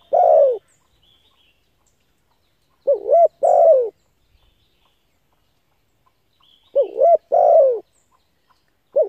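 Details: Spotted dove calling for decoy training: sparse phrases of a quick wavering double note and a long mellow falling coo, separated by about four seconds of silence.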